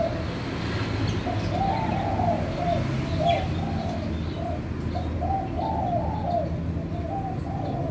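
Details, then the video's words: Captive-bred spotted dove of the white clear-pied colour form, with normal eye colour and clean white tail, one of a caged pair; a series of soft, low, rounded coo notes repeats steadily over a constant low rumble of background noise. "Derkuku putih kapas"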